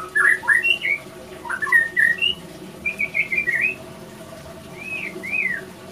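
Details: Male white-rumped shama in breeding condition at a breeding facility, singing: clear whistled notes, some slurred up and down, in quick bursts, then two separate rising-falling whistles after a pause. A low background hum is present.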